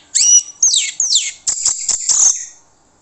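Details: Short, intense burst of orange-headed thrush song used as a lure: quick descending whistles followed by dense, harsh, high-pitched chattering, ending abruptly.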